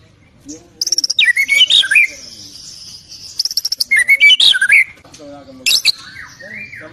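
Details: White-rumped shama with a full repertoire of mimicked songs, usable for training other birds: loud, varied phrases of rapid buzzy chatter bursts mixed with clear slurred whistles, rising and falling, with short pauses between phrases.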